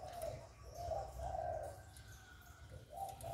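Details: Spotted dove cooing, recorded directly to stimulate other doves; three soft low coos in quick succession, a short pause, then two more coos, over a faint low hum.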